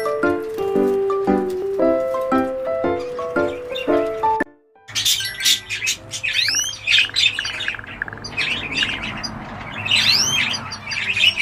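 A few seconds of piano-like music give way to a cockatiel's bright arched chirps and squawks, repeated in quick bursts over a low background hum.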